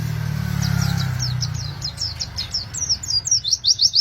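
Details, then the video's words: High rapid chirping song of an Oriental white-eye, meant to coax other white-eyes into singing, with a passing vehicle rumble fading in the first seconds before the chirps quicken. "BURUNG PLECI Gacor ngeroll cuit cuit ngalas,,,cocok buat masteran"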